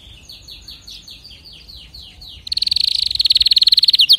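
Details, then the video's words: Canary song opening with a series of softer rising and falling slurred notes, roughly five per second, then breaking into a loud, very fast, steadily intensifying trill. "اذا كناريك ما تغير في ضرف دقيقة اطلقو وبلاش تربي كناري"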